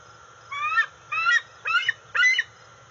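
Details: Food-begging calls of a 18.7-week-old juvenile female bald eagle off the NCTC nest, August 5, 2020, while her father lands with a fish; four strident, wavering squeals roughly every half second over a low insect drone.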